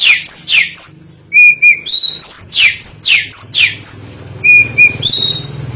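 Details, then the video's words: Lure recording of an oriental magpie-robin song: sharp high whistles, fast falling sweeps and level piping notes in varied order, with a faint low hum in the background. "Pancingan Suara Burung Kacer"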